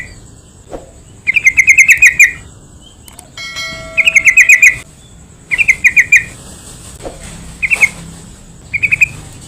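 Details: Yellow-vented bulbul lure for calling other bulbuls and training birds: bursts of rapid bubbly notes recurring every second or two, with a brief faint tonal ringing near the middle.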